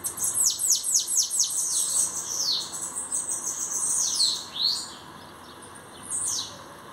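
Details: Newly arrived bananaquit, a song-competition cage bird, showing its quality: a rapid run of about six very high, thin notes sweeping downward, then scattered wheezy slurred notes and a final high descending phrase; no other sounds apart from faint background hiss.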